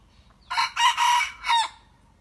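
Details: A decoy red junglefowl practising its crow gives a loud, harsh four-part call of about a second and a half: a short opening note, then two longer, rasping strained sections and a final clipped syllable, over a quiet background.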